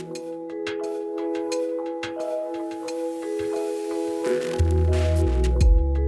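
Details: Mallet-percussion music with glockenspiel-like notes and sustained tones, turning to a louder low bass pulse near the end, with no animal sounds.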